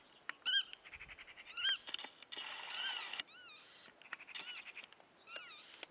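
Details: Calling godwits give sharp, arched, nasal notes in irregular bursts, mixed with a dense rapid rattle and several fainter overlapping calls.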